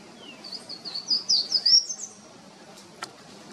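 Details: Golden-crowned warbler in São Paulo Botanical Garden, Brazil, October 2023, sings a quick run of high, thin whistled notes over about a second and a half, lifting at the end, then a few faint clicks.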